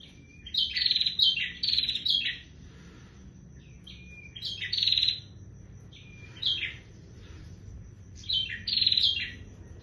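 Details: Singing bar-winged prinia gives short clusters of sharp, buzzy chirps, each group introduced by a thin rising note, repeated roughly every two seconds over a steady faint high hum.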